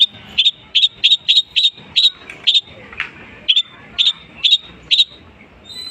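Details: Long-tailed shrike mimicry song, a steady sequence of sharp high chip notes roughly twice per second, briefly interrupted by a faint noise midway.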